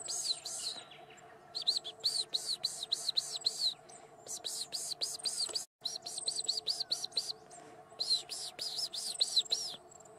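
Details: Superb Fairy-wren at Bago near Wauchope: rapid bursts of high, arched, tinkling notes run into fast reeling trills. A short pause falls partway through, and a steady low hum sits underneath.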